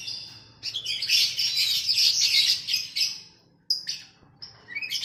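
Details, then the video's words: Captive oriental magpie-robin training song paired with a bulbul: a dense, loud burst of fast chattering and warbling notes lasting about two seconds, then separate short whistles and a rising slurred note, over a low hum. "KACER VS KUTILANG || MASTERAN 2 MENIT LANGSUNG NYAUTTT"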